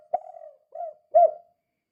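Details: Spotted dove calling in the kuk-kuk style, used as a lure to stir other doves into calling: one short phrase of three low, soft coos, the last one strongest and slightly rising, with no other sounds.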